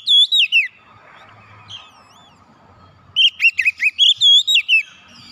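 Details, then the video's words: Oriental magpie-robin (kacer) singing lively gacor, played to get a silent bird singing again: a few loud descending whistles, a soft gap with faint chirps, then a quick sequence of about eight loud, twisting whistled notes. "KICAUN MENGATASI KACER MACET BUNYI KEMBALI GACOR"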